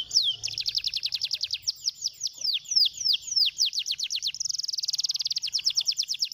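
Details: Stimulating canary song: a long series of bright falling whistles, then a dense rapid trill, then more quick downslurred notes.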